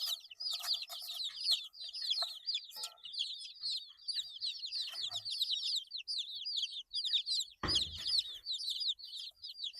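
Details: Baby chickens eight days old chirping; a constant stream of high, downward-sliding peeps from many chicks, broken only by one short knock or thud late on.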